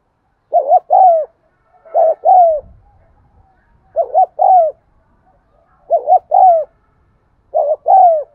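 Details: Spotted dove cooing in a steady series, played to coax caged birds into cooing. Five phrases, each a doubled short hoot then a longer dropping coo, with brief low rustling between the second and third.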